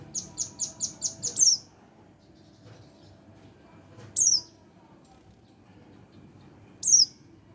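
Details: One-month-old Oriental white-eye: a brisk series of six short high chips leading into a louder slurred note, followed by two isolated descending tsee calls seconds apart.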